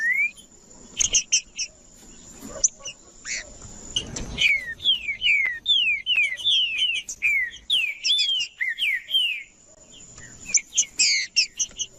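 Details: Green-winged saltator singing in a warm-up recording meant to stir other birds: clear descending whistled slurs repeated in a series, with sharp higher chips and a steady high ringing tone throughout, plus a brief rustling knock.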